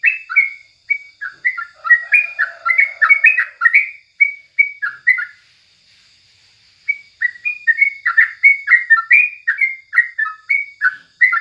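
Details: Morning song of a Sooty-headed Bulbul, used as tutor material: a lively string of quick, bubbly chirped notes, a brief soft lower murmur early on, a silent gap near the middle, then another energetic burst of chirps.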